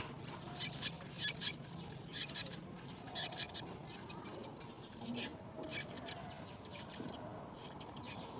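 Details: At the nest, mynas caring for their young produce a long run of shrill, rattling chirps, dense at first, then breaking into evenly spaced short trilled bursts about every half second.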